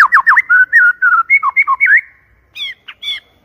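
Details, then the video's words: Clear, loud white-rumped shama lure song: rapid downslurred and looping whistles run into fluting phrases, then a pause and a few higher twisted notes. "PANCINGAN MURAI BATU PALING GACOR DAN AMPUH SUARA JERNIH VOLUME KENCANG"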